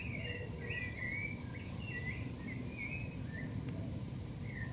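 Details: Shiny cowbird fledgling, watched in a home garden, giving a run of short whistled chirps with quick rising and falling slurs, about a dozen notes over five seconds, over steady low background rumble.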